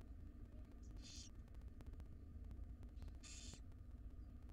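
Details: Wild female barn owl gently feeding her tiny chicks in a monitored nest box; two short harsh hissing bursts a couple of seconds apart, over a steady low hum and clicking.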